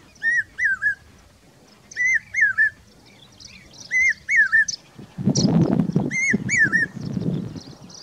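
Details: Common hawk-cuckoo, a summer migrant in Rajasthan, giving repeated groups of two or three shrill, wavering whistled notes with bright overtones. A burst of lower rustling noise follows toward the end.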